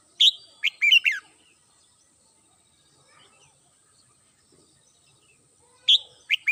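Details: Red-whiskered bulbul kept as a home cage bird, singing in the morning: a burst of sharp chirped notes, then a long pause, then more quick chirps at the end.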